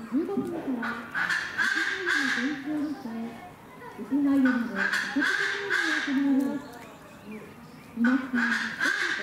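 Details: White-bellied bustard in Noichi Zoological Park, Kochi, Japan, December 2019: a series of grating, throaty croaks delivered in rhythmic clusters, several bouts over nine seconds with short lulls between them.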